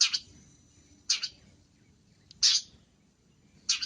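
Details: Long-tailed shrike in a masteran of busy isian song: four loud grating notes spaced just over a second apart, separated by near silence and a faint tick.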